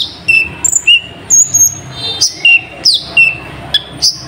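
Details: Brown-throated Sunbird, locally kolibri ninja, singing with mimicked nightjar calls: short high chirps, drawn-out whistles and sharp downward sweeps in irregular bursts.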